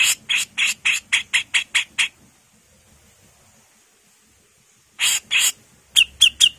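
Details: Female grey-cheeked bulbul delivering a rapid string of about nine harsh, rasping notes over two seconds. A long pause follows, then two more rasps and three short, bright downslurred whistles.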